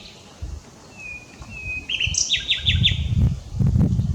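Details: Common nightingale singing, unedited: two long pure whistles, then a burst of fast repeated rattling notes, against low rumbling background noise.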